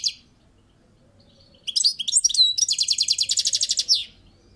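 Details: Balcony European goldfinch singing: a short high note, then a twittering run of sliding whistles leading into a fast, even rattling trill of about twenty pulses ending in a downward slur.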